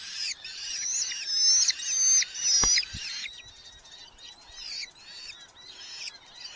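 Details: Red-footed falcons at a nest in a large colony in Hungary, with chicks being fed beetles by their parents, 10–12 July 2025: shrill, high chattering calls in rapid bursts, louder then fainter and scratchier, with a few soft knocks.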